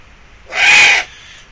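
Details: Eurasian eagle-owl giving a single harsh, raspy, hissing screech lasting about half a second, broad and noisy rather than tonal, loudest through its middle, with quiet background before and after.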